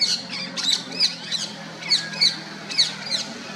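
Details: Female rose-ringed parakeet chirping in the wild: harsh, high squawky notes repeated roughly every third to half second in an uneven series, with low background hum.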